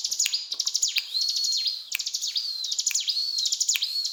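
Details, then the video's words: High, rapid 'cetrakan' song of a mountain tailorbird: clusters of stuttering clicks followed by sustained thin whistles and abrupt down-swept notes, three or four phrases in quick succession. "Burung Ciblek Gunung Gacor Cetrakan"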